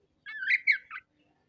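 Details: Oriental magpie-robin (kacer) singing harsh 'materi kasar' material, unloading its 'isian' repertoire: one short warbled phrase of slurred chirps about a second long, ending in a brief buzzy note, with a quiet background.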